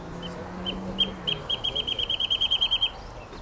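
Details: A male wrentit, a spring resident of Claremont Canyon in May 2008, gives a few spaced, high piping notes, then a quick run of about a dozen that speeds up like a bouncing ball; a faint low voice murmurs early on.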